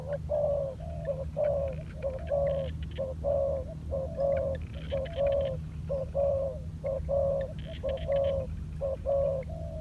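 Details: Spotted dove decoy bird in training on the ground, cooing steadily: soft, mellow mid-pitched notes repeated about once per second in an even rhythm, with a constant low hum and faint clicks behind.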